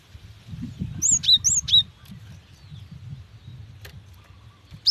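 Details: Female cinereous tit calling a male to encourage singing: a pair of double, high swooping chirps, then a lone faint note and a final chirp, with a low murmur of background noise.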